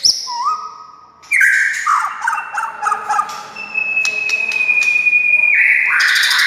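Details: A white-rumped shama song used to make silent shamas sing: rising whistles, then warbled notes and a long steady high whistle, ending with a loud, harsh burst.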